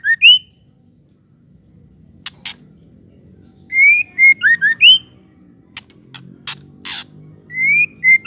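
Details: Calls of a female white-rumped shama, used to provoke males. Quick groups of clear whistles, an upslurred note followed by dipping and rising notes, alternate with sharp clicking sounds.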